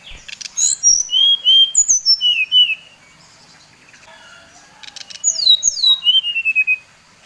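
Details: Provocation song of a Bali brown-chested jungle flycatcher: phrases of crisp whistles, high notes falling sharply into lower level tones, repeated rapidly; a quiet gap with soft low notes separates two bursts.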